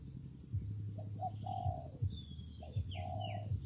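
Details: Spotted dove cooing in wet, windy weather: short notes, then a long level coo, repeated. A higher thin chirping from another bird appears partway through, with a low wind rumble behind.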